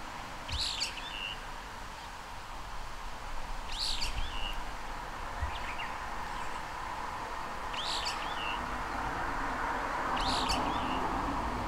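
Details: Brown-eared bulbul (Hypsipetes amaurotis) from a window, taped through a parabolic microphone: four sharp, shrill calls each ending in a short downward slur, roughly every three to four seconds, over constant traffic-like hum.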